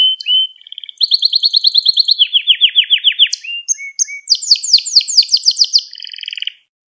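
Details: Canary singing to teach young canaries: rolling low notes, a bright rapid trill, a run of descending sweeping notes, short whistles, then loud rapid rising-falling notes ending in a buzzy trill.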